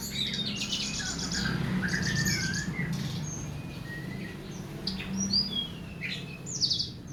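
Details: Masteran tutor song for training cage birds: scattered short whistled notes and rising slurs, some high thin chirps near the end, over a constant low-pitched hum and background noise.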